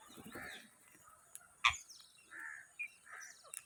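Rose-ringed parakeets give short, raspy squawks in a few scattered bursts, broken by a sharp knock and some faint clicks.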